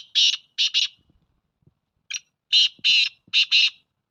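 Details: Black francolin calling on 12 February 2024: one harsh note, then a buzzy pair, a pause and a short note, then a rasping phrase of five grating notes.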